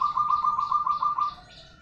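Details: A perkutut, or zebra dove, from local stock, producing a continuous low rolling coo with evenly pulsed throbs, over faint background birdsong.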